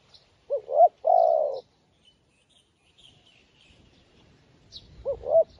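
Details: Spotted dove kept as a new decoy bird, calling to lure wild doves: two short rising notes, then a long hoarse coo near the start, and the same phrase beginning again at the end, with faint high chirps from other birds.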